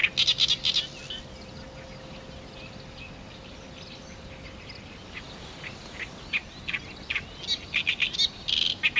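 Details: Oriental reed warbler near its song post, a female bull-headed shrike nearby and ignored; loud bursts of scratchy chattering notes at the start, a quieter gap, then renewed harsh repeated syllables toward the end.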